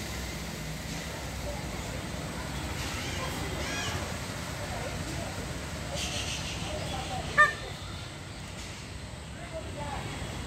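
A single brief, sharp, nasal peacock cry rings out once near the end against a steady rumbling background hiss.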